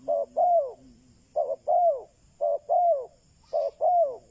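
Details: Captive spotted dove used as a lure for wild doves, repeating a two-part coo four times: a short low note followed by a longer arched, falling coo, about one phrase per second, with a soft low hum beneath.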